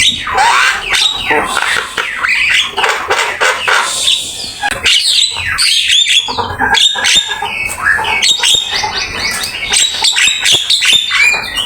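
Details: Black-winged myna master song for training: a dense, loud jumble of harsh rasping notes, squeaky whistles and chatter with almost no pauses.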